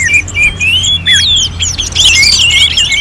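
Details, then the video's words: Short burst of orange-headed thrush song from North Bali, Singaraja, in contest-simulation style: a few clear whistled slurs followed by a sudden flurry of sharp, high overlapping twitters. "KICAUAN ANIS MERAH"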